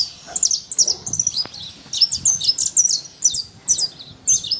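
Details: Free-living saffron finch in nature: a rapid series of high, sharp chirped notes, bright downward-slurred chips tumbling over each other, with a faint low rumble underneath.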